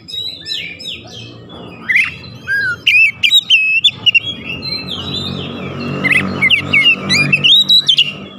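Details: Oriental magpie-robin (kacer) song used as a lure to rouse other birds: loud, varied whistled and twangy phrases, rising and falling notes in quick bursts, with a low hum throughout.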